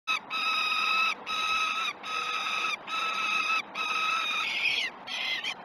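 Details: Peregrine falcons at a Great Spirit Bluff nest cam at breakfast feeding time, 21 June 2018, 09:07 in the morning. Five long, harmonic, wailing notes, each under a second and separated by short pauses, with a harsher, broken final note.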